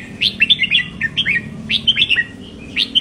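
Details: Very clear red-whiskered bulbul song for stimulating caged bulbuls: rapid bright chirping phrases of short upslurred and downslurred whistles, three dense bursts with brief pauses, over a faint low hum.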